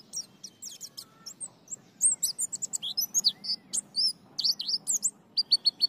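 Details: White-eye, called pleci, singing ngalas and ngriwik: dense, fast high twittering with sharp slurred notes, ending in a neat series of four quick, evenly spaced chips, over soft low background noise.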